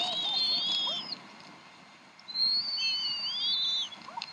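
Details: Evening at the Decorah bald eagle nest, 26 April 2012 at 7:50 pm CDT, as the mother feeds her three young. Two long high whistled phrases, partly doubled and gently sliding, are separated by a brief quiet gap.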